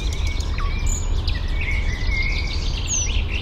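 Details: Eurasian penduline tit gathering nest material at a nest that is still only a ring high in a birch, Fysingen, Uppland, Sweden, gives thin, high, drawn-out whistled calls, some slurring downward, over a steady low rumble of wind or distant traffic.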